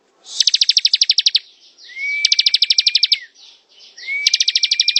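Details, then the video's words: Bar-winged prinia singing in the ngebren style: three bursts of rapid, evenly spaced high ticking notes, each about a second long, two of them carried over a thin, steady, slightly rising whistle. "Suara ciblek ngebren"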